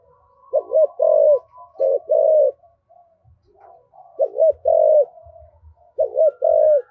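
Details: Decoy spotted dove with a 'giọng thổ' style voice, used to stir wild doves into cooing. Two-part coo phrases sound in three bursts: a quick bent note, then a fuller drawn-out coo. A faint thin tone runs above, with low knocks between.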